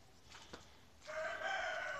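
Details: Rooster on a farm during a short tour. After a quiet moment with a soft tap, a strong, harmonic crow bursts in and holds steady to the end.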